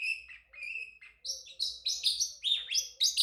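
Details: Male Pacific parrotlet, a pet bird, singing and chirping: drawn-out flat whistled notes, then a rapid sequence of loud, bright, rising and falling chirps repeated about every quarter second.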